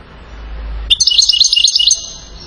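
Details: European goldfinch from Settat in Morocco, a celebrated chain-style singer: about one second of tinkling, rapidly repeated high notes with a faint low hum underneath before the phrase starts.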